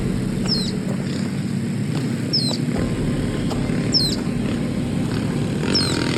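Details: Wild social flycatcher at dusk in Nosara, Guanacaste, Costa Rica, heard near 5:55 as the last species of a big birding day: loud, high, downward-curving call notes repeated every one and a half to two seconds against a constant hum.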